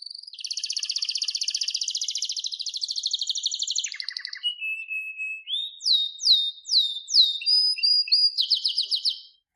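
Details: Canary singing a varied song: a long rapid buzzy trill, then a lower short trill, clear sustained whistles, a run of sweeping downslurred notes, and a fast high trill to finish.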